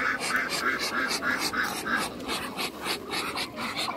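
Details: Muscovy ducks, a young chocolate male and a giant white male, in a backyard: breathy, hissing huffs repeated about three times a second, each a soft broadband puff, with a steady airy background.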